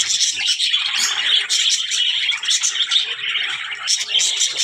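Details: Budgies chattering nonstop, a bright mix of squeaks, trills and sharp chirps layered over one another with no pauses.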